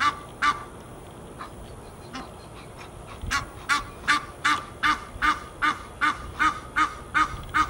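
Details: Geese at Fort Lauderdale, Florida, USA, giving scattered honks that build into a steady series of loud, nasal calls roughly every third of a second, with constant low background hum.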